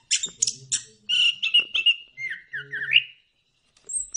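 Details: Punglor kembang, the orange-headed thrush, in a lure song for prompting birds to sing: a few harsh high chirps, then a run of lower fluttering whistled notes and a short pause before a thin final note.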